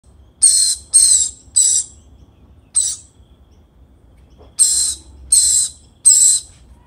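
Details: Lorikeet parent feeding its baby: a series of harsh, hissing rasps, each about a third of a second long, in two bursts of three or four separated by a pause, with one lone rasp between them.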